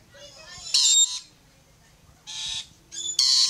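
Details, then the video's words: Rainbow lorikeets on a fence let out three loud, grating screeches, each about a third of a second long and separated by short pauses, with faint chatter underneath. "Beautiful Rainbow Lorikeets Singing Climbing a Fence"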